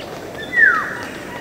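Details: A single clear, fluty whistle from a Black-naped oriole, sliding downward over about a third of a second, against a soft background hiss, with dripping water sounds in the recording.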